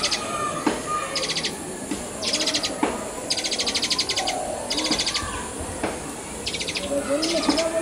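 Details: Asian pied starling; begging call; young bird begging for food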